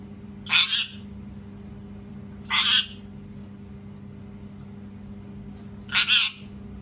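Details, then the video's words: Three loud, raspy parrot screams, each a doubled squawk of about half a second, spaced roughly two and a half to three seconds apart over a constant low hum. "PARROT SCREAMING TOO LOUD | PARROT SCREAMING SOUNDS"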